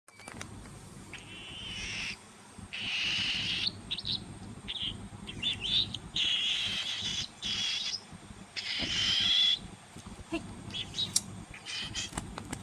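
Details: Hand-fed pet cockatiel chicks give harsh, raspy begging calls in bursts of a second or so during feeding, over low room noise.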